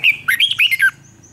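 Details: Short, loud phrase from a red-whiskered bulbul in contest-singing training, 'giọng xoắn' style: about six quick, throaty warbled notes sliding between mid and high pitch, then quiet.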